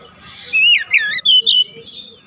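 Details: Oriental magpie-robin phrase from therapy song for a lazy singer: a brief run of clear, slurred whistles, rising and falling, with a faint low hum behind.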